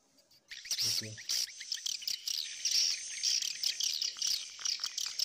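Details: Edible-nest swiftlets in a combined colony-and-mating call lure: after a brief quiet start, loud shrill twittering chirps burst in and continue in uneven clusters, high and thin, with a steady faint whistle running through.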